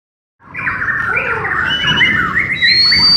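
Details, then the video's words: Bornean white-rumped shama (murai batu Borneo/Kalimantan), kept bird during a training session; a continuous run of varied, warbled notes in a mid-to-high register, ending with a long, thin, steady high whistle. "LATIHAN BERSAMA BURUNG MURAY BATU BORNEO"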